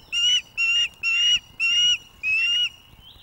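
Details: An osprey on the Loch of the Lowes webcam nest in May 2024. The female food-begs during courtship as the male brings fish. Five steady, shrill whistled notes come evenly spaced over three seconds.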